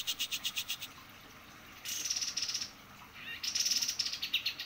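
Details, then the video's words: White-eye in full song: fast, high, rattling trains of repeated notes alternate with thin, bright trills. Quiet pauses and background hiss fall between the bursts. "kapas tembak gacor"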